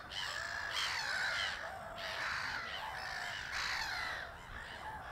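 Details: Aggressive gulls at the seaside in Dragør near Copenhagen, Denmark, one chasing another off, give loud, harsh mewing calls in repeated bursts about a second long.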